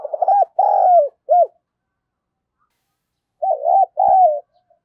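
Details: Spotted dove kept as a decoy, in an energetic provoking call: quick stuttered notes lead into a long hollow coo and a short tail note, then after a pause another wavering double coo.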